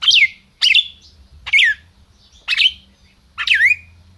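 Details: Caged red-crested cardinal in Brazil, called a 'máquina', gives a steady run of five emphatic, down-slurred chirps, roughly one per second, each bright and ringing against a low background hum.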